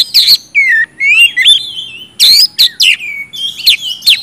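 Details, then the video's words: Oriental magpie-robin singing loudly, used to coax quiet birds into song: clear sliding whistles rising and falling, separated by short harsh rasping bursts, a few phrases per second. "kacer gacor ngeplong,sangat cocok buat pancingan kacer macet"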